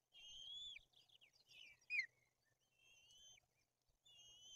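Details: At a white-tailed eagle nest in Bory Tucholskie, Poland, chicks are fed fish while the older chick shows aggression; soft high whistles with a rising sweep, a brief sharp note, and faint steady background hum.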